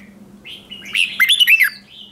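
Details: Red-whiskered bulbul decoy song meant to attract other bulbuls. A short, rapid, warbling phrase of bright whistled notes swelling to a loud finish, with a faint low hum underneath.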